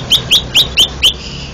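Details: Champion greater green leafbird from a singing competition in Banten, Indonesia, delivering five loud whistled notes, each a quick upward-sweeping slur, spaced about a quarter second apart, against low steady background noise.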